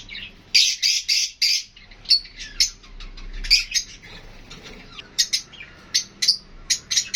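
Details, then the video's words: Chirping lovebirds, including Fischer's lovebirds alongside budgies, calling as they interact: loud shrill chirps come in clusters, separated by quieter stretches with faint low rumble. "Love Birds HD Sounds"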